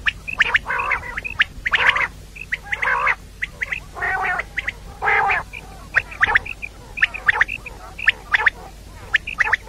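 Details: Calls of a female common quail (batair), intended for the morning: harsh, quacking chirps come in quick clusters and longer buzzy bursts, with roughly one call each second and little else audible.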